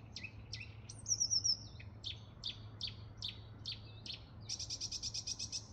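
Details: Marsh warbler singing a fast, varied medley of sharp chirps, high trills and rapid buzzy notes, recorded 5 June 2023 at Inre fjärden, Gävle, Sweden.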